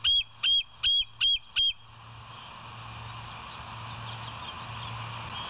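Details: Bald eagle at the nest at night, West End, 02:31 on 09/11/2023: five sharp, high, piping notes in a quick even series, about three every second, followed by a steady low hum and background hiss.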